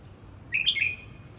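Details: One short warbled phrase from a red-whiskered bulbul in voice practice, a quick bright slurred whistle rising then tailing off, with soft low-pitched background noise.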